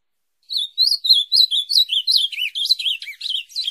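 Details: Ultramarine grosbeak singing for teaching a kept bird its song: a quick series of warbled whistles, bright and high, with a few deeper swooping notes in the second half; continuous phrase of about fourteen notes.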